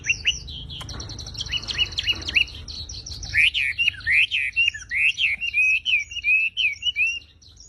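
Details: Javan pied starling pouring out song. Busy, clicking chatter gives way to a rhythmic series of bright, bending whistled phrases, each under half a second, over continuous high-pitched tinkling.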